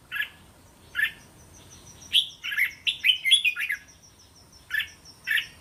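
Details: Red-whiskered bulbul singing a 'to' style phrase set meant for coaching caged chicks: two short chirps, then a rapid chain of five or six liquid whistled notes, then two more chirps, with a faint high ticking behind.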